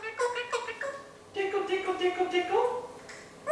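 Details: A one-year-old male Eclectus parrot imitates a chicken with a run of short, nasal, mid-pitched clucks, about three a second, ending on a rising note; room otherwise quiet.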